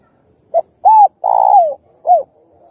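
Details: Spotted dove song, used to stimulate other doves to call. One full phrase of four low coos: a brief note, a rounded coo, a long rough pulsing coo ending in a downward slide, and a short curved closing coo.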